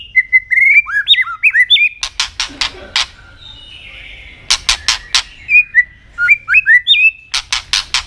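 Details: An Asian robin sings quick, looping whistled phrases that swoop up and down. Sharp clicking bursts come between the phrases, with a quiet pause in the middle.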